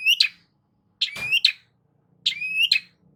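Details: Lure song of a Long-tailed shrike to prompt a quiet bird to sing: harsh bursts framing a rising whistled slur, repeated three times, with a brief low thump under the second phrase.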